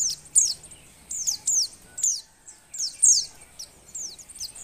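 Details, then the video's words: Female Oriental white-eye in breeding condition, to stir males to sing: bursts of high, thin falling chirps in irregular clusters over steady low background noise. "suara pleci betina birahi"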